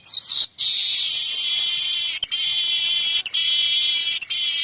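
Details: Streaked weaver (manyar kembang) singing for songbird tutoring: a continuous, loud, high buzzing wheeze held for seconds, broken by three brief gaps.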